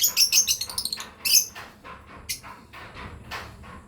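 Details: Breeding pair of lovebirds opening with a rapid run of shrill, clipped chirps, about eight in just over a second, then one strong chirp and a few fainter scattered notes.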